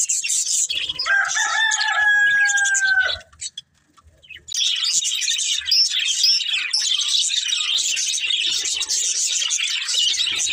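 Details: Budgerigars chirping and singing while playing; a steady whistled tone with a lower companion note for about two seconds, a brief pause, then dense continuous warbling chatter of many overlapping chirps.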